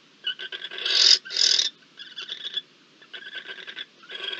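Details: Barn owl at a nest during food delivery, mating and incubation of nine eggs, 26 October, giving harsh, hissing, breathy bursts: two loud rasps early on, then softer ragged hisses about twice a second.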